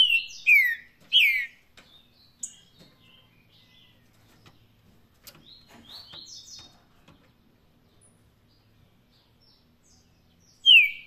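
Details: Paraná song style of a green-winged saltator: two loud descending whistles open the phrase, softer high twitters and clicks follow through the middle, and another loud falling whistle closes it after a quiet stretch.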